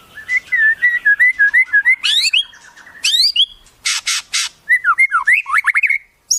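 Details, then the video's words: White-rumped shama with a wild-bird song fill: a rapid warbled run of looping whistles, then upward-sweeping notes, harsh buzzy bursts and a tumbling series of slurred whistles. "Masteran Murai, Isian Burung Alam Liar"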